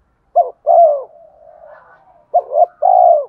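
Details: Spotted dove in full song for luring rival doves: two short coo phrases, each a brief note followed by a longer, drawn-out coo, joined by a faint murmur.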